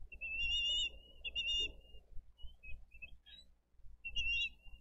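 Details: At a Dade County bald eagle nest on 22 April 2023, as the adults bring in fish and feed the eaglets, thin, high whistled notes and quick chittering bursts come in several short runs over a low rumble of wind.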